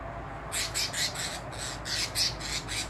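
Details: A captive double-collared seedeater, at 2 pm on Sunday 12 March 2023 near the end of the season, gives a rapid series of harsh, high buzzy notes, about four per second, with a low room hum beneath.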